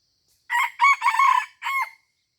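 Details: Junglefowl crowing during a luring session at Taman Rusa, Aceh: a loud, hoarse crow in four bursts, a short opening note, a strong rising phrase and a long middle phrase, then a final note that trails off, over a near-silent background.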